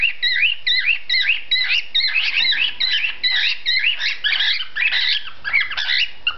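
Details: A male cockatiel sings a rapid, chirpy run of squeaky, warbling whistles to court a female, who rejects his mating song.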